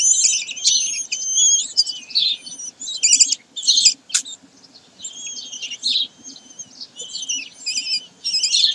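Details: Common kestrels at Sägeweg on 22 May 2023: dense, rasping high calls with harmonic bands, delivered in chattering bursts about a second long with brief gaps, plus one sharp click near the middle.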